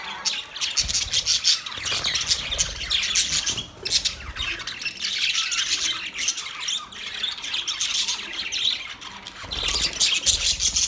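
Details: A pet budgerigar, called an Australian parrot, chirping: continuous scratchy, squawking chatter with dense high notes. Brief pauses break the chatter, and faint low rumbling sounds lie beneath it.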